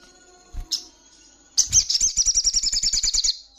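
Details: Ruby-cheeked sunbird female in heat, calling to a male; a sharp high chip, a second chip, then a fast, thin, high-pitched trill of roughly sixteen notes that slowly falls slightly, over faint low bumps.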